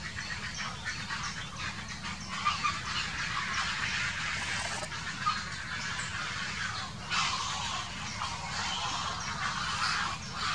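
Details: Quarrel among grey herons in 2018, with rough, grating squawks rising sharply out of a dense background of bird chatter, the loudest outburst near the end, all over a continuous low rumble of wind.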